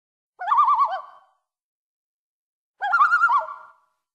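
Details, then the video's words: A common loon gives two quavering, rapidly wavering calls about two seconds apart, each under a second long, with quiet between them. "Common Loon Calls"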